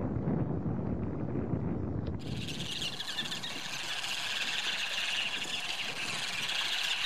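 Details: A flock of Ruddy turnstones (Arenaria interpres) in the small harbour of De Cocksdorp, Texel, on 8 September 2016, gives a dense, rapid, high chattering of overlapping calls, starting suddenly after two seconds of low wind rumble.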